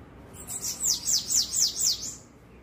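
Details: A Bananaquit recorded at 7:17 on Wednesday, 13 March, sings a very high, thin, sibilant phrase of about five quick downslurred notes, roughly four per second, over faint background hiss.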